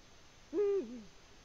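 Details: Eurasian eagle-owl in the nest in Latvia on 14 February 2020. A single short, harsh, nasal call: held level for about a quarter second, then sliding down into a brief falling tail. The background is quiet.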